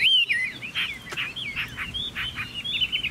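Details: Chinese hwamei singing: a loud rising-falling whistle opens, then a run of varied slurred, warbling notes, some buzzy, packed closely over three seconds, with one sharp click midway.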